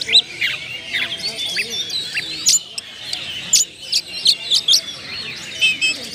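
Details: Oriental magpie-robin lure song: scattered bright chips and squeaky whistles, some very high and piercing, spaced irregularly over a soft murmur of twittering.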